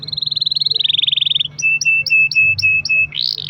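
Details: Singing canary used to draw song from other canaries: a smooth rapid high trill slowly dropping in pitch, then short paired notes over a steady whistle, ending in a rising buzzy phrase.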